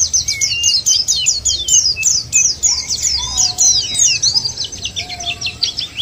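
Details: White-eye song played as a lure for white-eyes: quick high chirps repeated in rapid series, joined by a few soft lower whistled notes in the background.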